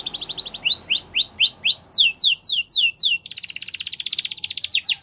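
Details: Champion Belgian canary song meant for training young canaries: fast buzzy trill, then rising swooping whistles and downslurred notes, ending in a long rapid high roll.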